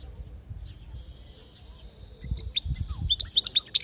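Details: European goldfinch, Palestine, training song ('lugha') for young goldfinches: a faint, thin sustained tone at first, then a rapid, jumbled stream of high chirps and twitters rising in loudness, with some low background rumble.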